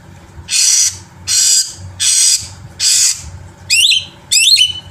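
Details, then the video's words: Black-winged myna song intended to stimulate other birds to sing, opening with four long harsh hissing rasps about a second apart, then two quick twisting whistled phrases dropping in pitch. "suara masteran burung jalak putih gacor full isian"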